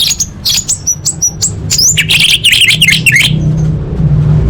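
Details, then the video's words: Master training song of an orange-headed thrush, full of fill-in phrases for elite contests: quick separate chirps turning into rapid, buzzy chatter, then fading into a low hum. "Masteran Anis Merah Full Isian untuk Lomba Besar & Latber Elite"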